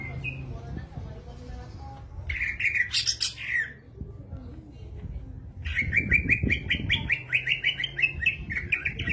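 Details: Greater green leafbird (cucak ijo) singing energetically: a short burst of scratchy chattering notes, a pause with faint rustling, then a fast run of repeated bright whistled phrases sustained to the end.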